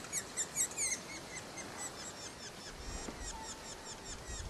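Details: A red-naped sapsucker chick being fed by its parent at Premier Lake Provincial Park, British Columbia, keeps begging as it is fed: a rapid, high, scratchy chatter of repeated chirps in quick bursts. It was recorded from far away, over faint hiss and a brief thin tone.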